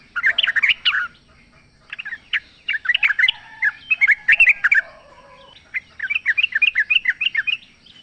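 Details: Free-living sooty-headed bulbul in full song, used as a lure so a caged bird answers: rapid bubbly chattering phrases, then a long run of evenly repeated quick notes near the end.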